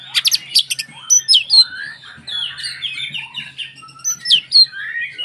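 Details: Oriental magpie-robin song meant to agitate other magpie-robins; rapid sharp notes open, followed by a varied string of slurred whistles and warbles, over a faint low hum.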